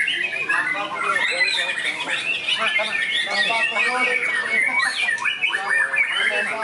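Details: White-rumped shama, a trained contest bird, sings on the competition field with a lavish mimicked repertoire. The song is continuous, fast and busy, mixing rapid ticking notes, short whistles and rasping phrases among other birds.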